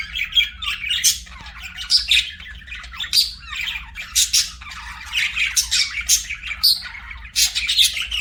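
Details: Pet budgerigars giving scattered shrill squawks and sharp chirps over soft scratchy chatter, loud notes coming in irregular bursts every second or so.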